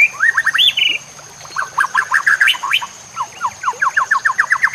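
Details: Training song of a white-rumped shama, meant to stimulate other shamas, mixed with nature sounds and trickling water: loud clipped notes and a ringing whistle, then fast rhythmic runs of sharp repeated chips with brief pauses, over a constant high hiss.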